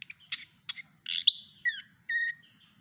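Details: Javan pied fantail imitating the song of a white-rumped shama: a quick run of varied phrases with buzzy notes, a sharp rising whistle, slurred falling notes, and then a steady clear whistled note held for a moment.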